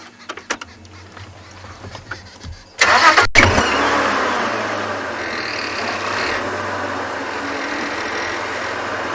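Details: Faint clicks and handling knocks, then a car engine starts near three seconds and keeps idling with a steady hum on a sunset safari, with no animal calls.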